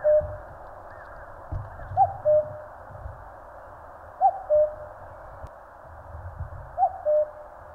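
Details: A common cuckoo sings in Korean mountains: three spaced cuck-oo phrases, a bright upper note sliding to a lower sustained one, over a soft low rumble.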